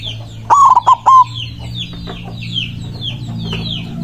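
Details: White zebra dove in full, emotional song calling out rivals: a single stuttered coo of three or four rolling beats ending in a drawn-out note. Light chirps from other birds follow.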